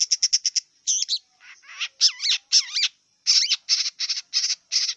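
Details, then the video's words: Wild long-tailed shrike song: quick series of clipped chips, then loud harsh calls with sliding, wavering whistled overtones, followed by a steady run of raspy notes. "Kicau cendet liar"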